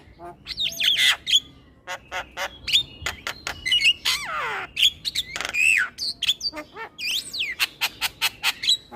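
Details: Male Javan myna singing to lure every kind of starling: fast mix of rasping chatter, clicks and looping whistles, including a long descending buzzy slur midway.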